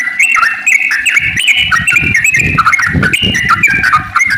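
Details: Long, continuous yellow-vented bulbul song used as a lure for other bulbuls: dense, warbling whistled notes rising and falling without a break, backed by steady low thudding sounds.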